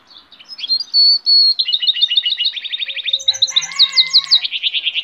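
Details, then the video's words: Song of a goldfinch hybrid, a lively high twitter of trills, long buzzy notes and fast repeated chirps, with harsher lower sounds mixed in near the end. "cante de hibrid de sticlet - Mixto de Jilguero - الهجين الحسون"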